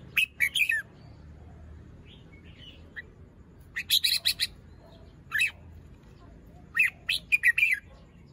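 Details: In the morning, a fluffed-up young red-whiskered bulbul in a cage, crest still growing and molt unfinished, delivers its song style as short, bright, bubbling phrases of three to five quick notes, repeated several times with pauses between.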